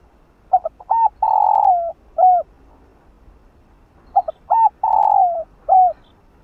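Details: Spotted dove giving a kích bổi stimulating coo, used to get slow-cooing doves to coo. Two phrases, each with a few short stuttered notes, then a long buzzy falling coo and a short arched closing note.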